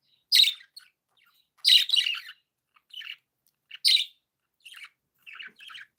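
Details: Happy pet budgerigars chirping: loud, harsh broadband chirps roughly every one and a half seconds, interspersed with softer scratchy warbled notes, the chatter continuing in short bursts.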